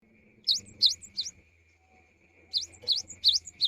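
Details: Cinereous tit singing in the afternoon, its song prompting other tits to join in: a short run of three sharp, high, swooping two-part notes, a pause, then five more, over a faint steady high hum.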